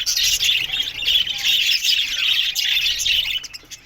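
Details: Budgies in an aviary breeding colony filling the air with loud, unbroken high-pitched chatter and warbling from many birds, fading slightly in the final moment.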